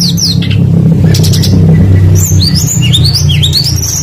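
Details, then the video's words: Tledekan songbird singing a lively, varied song, played as a lure to get other birds singing: rising and falling whistled sweeps and short chirps, busiest in the second half, over a steady loud low rumble. "PANCINGAN BURUNG TLEDEKAN PASTOL GACOR FULL ISIAN LANGSUNG IKUT BUNYI"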